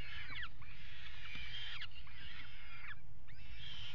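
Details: A pair of peregrine falcons mating on the nest box ledge of the Axel water tower, Netherlands, 5 February 2018, utter thin drawn-out wailing notes, some dropping sharply, against constant low rumbling wind.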